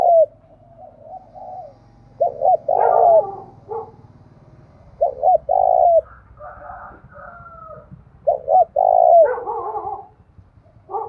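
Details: Spotted dove cooing in the Đồng Nai forest, Vietnam, in urging and calling styles: repeated phrases of quick clipped notes ending in a drawn-out coo, about every three seconds, with other birds' warbling calls overlapping and a low background rumble.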